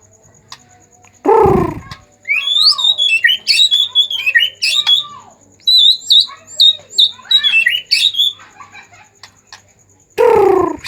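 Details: Agitated white-rumped shama singing to coax other shamas into song: a rich, fast medley of twisting whistles, chips and warbles in bursts, with loud low rumbling noises at the beginning and end.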